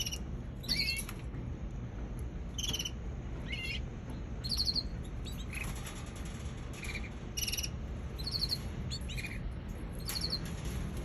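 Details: Young canary giving scattered short, high chirps with ringing overtones, irregularly spaced across several seconds, over a low continuous background rumble.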